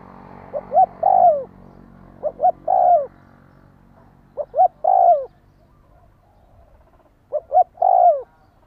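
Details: Spotted dove calling to stimulate a decoy bird: three low cooing phrases, each two short soft notes then a longer, falling, drawn-out coo, repeated about every two and a half seconds over quiet background.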